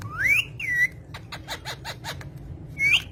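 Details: Talking green parrot kept as a pet gives a rising whistle and a short falling one, then a quick run of clicks, and ends on another upslurred whistle, with a low background hum.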